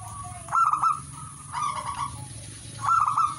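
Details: Zebra dove singing: three short bursts of rolling, trilled cooing notes, separated by pauses of about a second. A steady high-pitched hiss runs in the background throughout.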